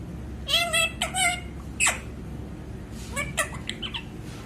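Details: Pet parrot talking, several short harmonic word-like squawks and voice imitations with pauses between them, over a steady low indoor hum.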